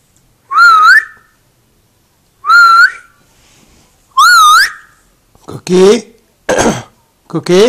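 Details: Pet African grey parrot, which imitates the owner's grandmother speaking Gujarati, giving three loud, clear whistles with a wavering rise, then harsher voice-like squawked syllables in quick succession indoors.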